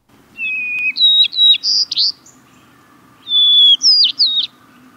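White-crowned Sparrow singing two phrases, each opening with a clear, steady whistle, then dropping into higher buzzy, jumbled notes. A faint low hum lies beneath.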